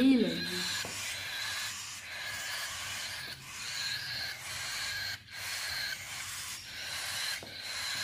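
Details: A cockatiel chick being hand-fed at home gives a steady, raspy, wheezing begging call in repeated hissy pulses.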